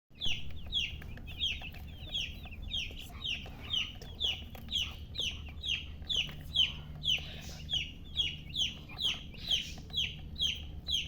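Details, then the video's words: Chicken chicks chirping: a steady stream of high, short, downward-sliding peeps, about two per second, with a soft low rumble in the background. "silly chicken chirping sounds"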